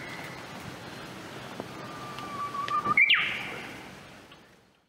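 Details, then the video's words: Japanese bush warbler singing in late spring in Hokkaido, Japan, from bamboo thickets after the snow melted, 2024. A long, steady, low whistle swells and ends in a sharp, quick rising flourish, over a soft background hiss. "Japanese Bush Warbler 北海道のウグイス"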